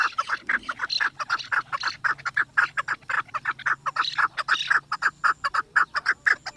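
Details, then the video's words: A chukar partridge, Pakistan's national bird, gives its playful, excited call: a fast, harsh run of clucking chuk notes, several a second, with a faint low hum beneath. "چکور کی مستی آواز دیکھو"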